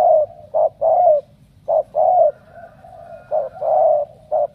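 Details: Spotted dove from Ca Mau in Vietnam, chosen for strong cooing, gives mellow hooting coos: short notes alternating with longer, gently falling notes in uneven bursts, with quieter connecting tones between phrases and a low background hum.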